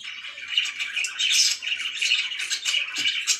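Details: Continuous budgerigar warbling from pet birds, scratchy and chirpy, with a brief low knock near the end.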